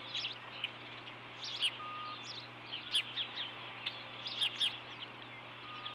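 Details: Osprey pair at a ranch nest, 4 April 2014 near 10:57, male delivering a fish to the female; irregular bursts of sharp, high whistled chirps in small clusters, with a constant low hum beneath.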